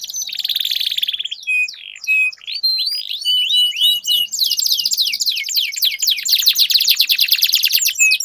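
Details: Canaries duelling in song to set silent canaries singing: buzzy trill, clear whistled notes and rising slurs, then a long fast rolling trill.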